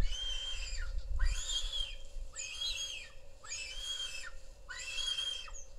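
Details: Lappet-faced vulture on a live nest camera in Israel, calling while mating: five loud, harsh squealing whistles repeated about once a second, over a steady low hum and some low rumble.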